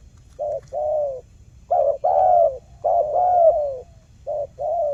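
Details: Lure recording of a spotted dove to prompt silent birds to call back: four paired phrases, each a short coo then a longer mellow falling coo, with brief gaps between them.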